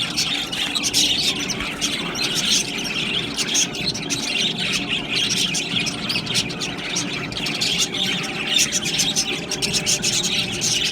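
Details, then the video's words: Budgerigars chirp and warble together in a busy, overlapping chorus, quick high twitters and occasional squawky notes running steadily throughout. "Beautiful Budgies chirping Sounds"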